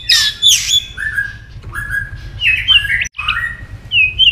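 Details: White-rumped shama stimulated into fighting song, tail flicking and repeatedly giving sharp tac notes: loud varied burst of buzzy high notes, then level and rising whistled phrases in quick succession, with a brief break near the end.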